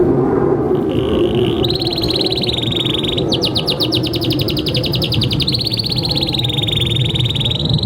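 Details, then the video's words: Canary singing a long master song meant to prompt young or silent canaries: a soft trill builds into a bright rolling trill, then a run of fast falling notes, then another even roll, over low hum. "Masteran Kenari GACOR Durasi Panjang‼️ COCOK untuk Pancingan Kenari PAUD dan Kenari MACET BUNYI"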